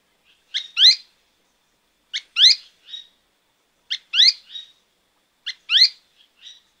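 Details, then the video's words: Azara's spinetail, recorded at Alto San Miguel, calling in a steady series: each phrase a brief high note, a loud harsh down-sweeping note and a softer trailing note, repeated about every one and a half seconds. "Guía Sonora de Aves - Alto San Miguel: Synallaxis azarae, Rastrojero de Azara"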